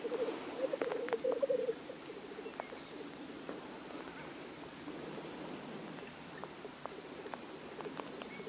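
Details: Black grouse males displaying at a lek: a burst of rapid, pulsed bubbling in the low-mid range during the first two seconds, then fainter bubbling continuing beneath scattered clicks and open-air background.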